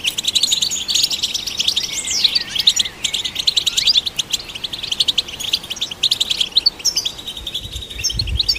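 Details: European goldfinch in full song to stimulate other goldfinches. A long, rapid twittering stream of crisp high chirps, with swooping whistles early on and a few dull low knocks near the end.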